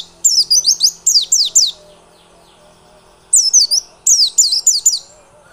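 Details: White-eye song used as a lure to make other white-eyes sing steadily and persistently: two bursts of sharp, high, downward-sliding whistled notes, each burst of about six notes in quick succession, with a pause between bursts.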